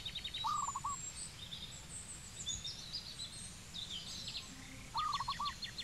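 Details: Cambodian zebra dove giving two brief phrases of quick, bubbling coo notes, one near the start and one near the end. Faint high chirps and a ticking trill from other birds sound around them.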